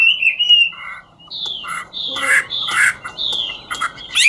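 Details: Chinese hwamei of the ngũ trường style singing while dancing, here in a quieter passage of harsh buzzy notes and short whistles with gaps between.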